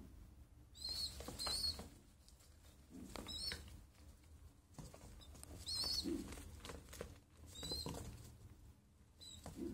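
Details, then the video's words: Small pigeon calling with brief, high squeaky notes in irregular bursts across about ten seconds, some doubled, with soft rustling and low background rumble between them. "small pigeon sound"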